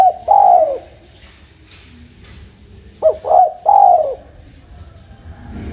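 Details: Spotted dove cooing, used as a lure to make other birds sing back: one soft low hooting coo, a pause, then a quick run of three mellow coos, with a quiet background.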